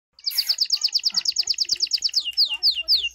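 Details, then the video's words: Hand-tame pet goldfinch singing: a fast, even trill of bright repeated notes held high, then a few separate downslurred whistled notes near the end; no other sounds stand out. "goldfinch singing and full hand tame"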